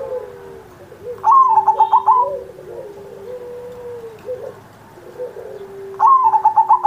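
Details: Singing zebra dove recorded on Indonesian Independence Day as training audio for young or quiet pet doves. Two rapid rolling phrases of clipped notes are separated by long, smooth, low cooing tones.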